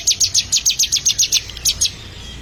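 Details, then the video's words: Ciblek (bar-winged prinia) trained to sing: a tight string of about ten shrill, evenly spaced chips at roughly four per second, then two more after a short break. "Melatih Burung Ciblek Agar Gacor"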